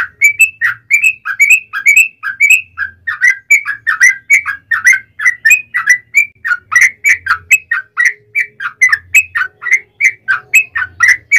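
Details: Long rapid fighting song of a yellow-vented bulbul, used to lure bulbuls into answering; a continuous chatter of quick, warbled whistled notes, slightly accelerating, over faint low hum.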